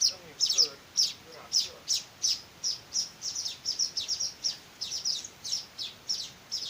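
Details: Begging calls of hand-fed weaver chicks: a brisk run of high, thin chirps that grows denser toward the end, with faint low sounds near the start.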